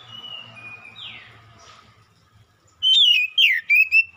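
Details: Oriental magpie-robin, heard in a lure recording: soft drawn-out whistles and a falling slur, then a loud phrase of rich, warbled, swooping whistles in quick bursts.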